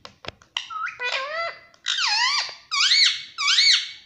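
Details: Pet parrot with a sweet voice starts with a few clicks and short whistles. It then gives four loud swooping, arched whistles, roughly one every 0.8 seconds, in a small room.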